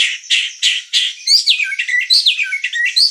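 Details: White-rumped shama singing: four loud rasping notes spaced about a third of a second apart, then a rapid tumbling sequence of varied whistled and chattering phrases.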